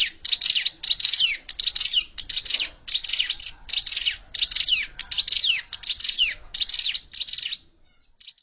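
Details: Hill prinia, original trapping call: dense, steadily repeated scratchy high notes with downslurred strokes, fading out at the end.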